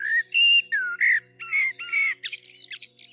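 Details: A common blackbird in Ukraine sings short fluty, warbling phrases with pauses, mellow and low at first, ending in higher squeaky twitters, with a faint steady hum beneath.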